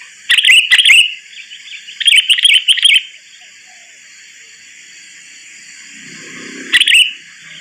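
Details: Sooty-headed bulbul calls used as a trapping lure: short bursts of bubbly chattering notes in three groups separated by pauses, over a steady high electronic hum, with a faint low rumble near the end.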